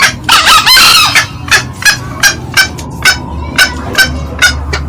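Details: Male and female green junglefowl cackling on a loud lure recording: a harsh, strained burst opens, then a run of quick, clipped clucks roughly three per second over a low background hum.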